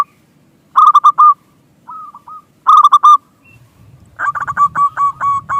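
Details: Local zebra dove lure song meant to set other doves cooing: two bright bursts of fast coo notes, a fainter softer phrase between them, then a longer, quieter rolling series over a low background rumble.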